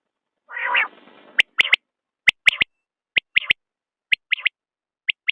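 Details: A common quail gives one nasal growling note, then a run of bright, clipped triple whistles, each phrase spaced roughly a second apart.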